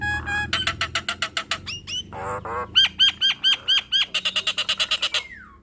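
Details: Nias hill myna singing loudly through its learned repertoire: rapid chips, a short buzzy rattle, then a series of hooked whistles repeated about twice a second, ending in a dense run of notes and a falling slur.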